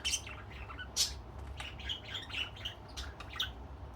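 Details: Two male budgerigar brothers preening each other affectionately, giving short, scratchy chirps and squawks in an irregular chattering stream.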